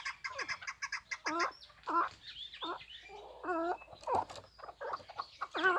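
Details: Hybrid chukar partridge, a bird kept for hunting and fighting, utters irregular harsh chuck calls with sliding accents, mixed with quick high chirps at the start and other fowl-like clucks.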